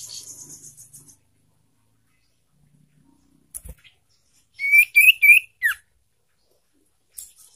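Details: Lure song of a young sirtu, used to prompt caged sirtu to sing. A brief buzzy rattle, a silence, then three loud rising chirps close together and a falling whistled note, ending with faint high chirps.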